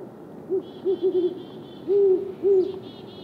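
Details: Great horned owls, male and female, exchanging territorial calls: quick stuttered short hoots followed by two longer deep hoots, with soft high chittering notes above.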